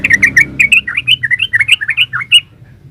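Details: Yellow-vented bulbul delivering a fast 'ropel' phrase: a quick string of about fifteen bright, bubbly, slurred notes in under three seconds, ending abruptly. A faint low rumble is heard beneath.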